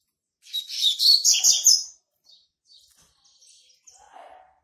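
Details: Young male Double-collared Seedeater, hatched in March 2019, singing to mark its territory: a rapid burst of buzzy, twittering high notes lasting about a second and a half, followed by a few faint scattered chirps.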